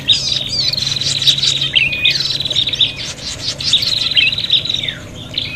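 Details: Agitated prinias in a noisy fight, used for luring birds: repeated bursts of high rattling trills with quick squeaky notes between them, dense and overlapping throughout.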